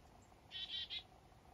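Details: A Black-capped chickadee on a foggy morning up north, among waking squirrels, gives three quick, harsh, buzzy notes in a row, fitting its 'dee-dee-dee' call, over a faint steady background hiss.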